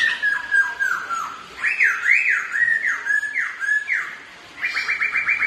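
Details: Two black-throated laughingthrushes kept as ornamental birds sing against each other while dancing: loud whistled notes sliding down and up in zigzag phrases, ending with a rapid run of short repeated rising notes.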